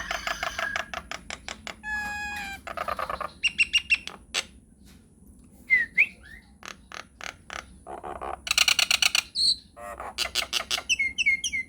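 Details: Nias hill myna in long rolling lure song: rapid trains of dry repeated notes, a laddered whistle, scattered sharp whistles, then bursts of chattering and looping high calls, used to provoke other mynas into answering.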